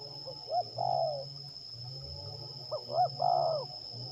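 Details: Spotted dove in a decoy-trapping session at Liwa, West Lampung, Indonesia, delivers two coo phrases about two and a half seconds apart, short rising notes leading into a sustained wobbling coo, over constant high insect buzz and a deep background hum.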